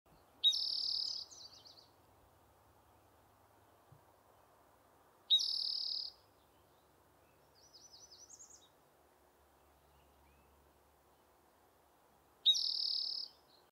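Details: A spotted towhee singing on Vancouver Island gives three harsh, buzzy trills, each about a second long and several seconds apart, with a softer twittering phrase between, over a faint low background rumble.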